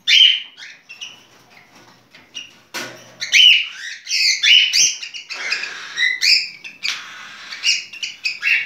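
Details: Cockatiel courtship singing, a dense, chattering stream of high chirps and twittering notes that grows busier after a brief scratchy noise midway.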